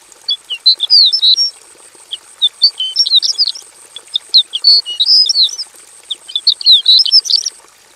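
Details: Javan bush lark (branjangan javanica) singing in full voice with mimicked fill-in phrases, caged in a simple aviary: bursts of scratchy, high twittering chirps separated by short pauses, over a faint steady high whine.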